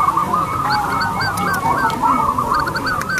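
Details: Loud local zebra doves with long, clear voices kept for luring other birds: quick trilled coos tumble over one another in a continuous chorus.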